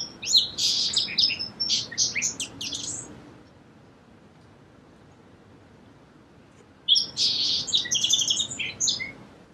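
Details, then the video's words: Song sparrow delivers a roughly three-second burst of sharp, high notes and a buzzy trill, falls silent for several seconds, then repeats a similar phrase. "Song Sparrow Bird Sound"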